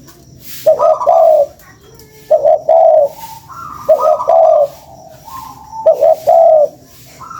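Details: Lure call of a spotted dove: soft, hollow coos in two-part phrases, a brief stuttered note followed by a drawn-out wavering one, with a higher fainter coo linking the bouts. Light background hiss.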